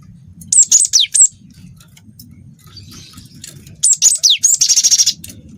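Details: Cinereous tit singing with canary-style song; groups of very high sharp notes sweeping steeply downward, separated by short pauses, plus a quick buzzy rattled burst and a low rumbling background.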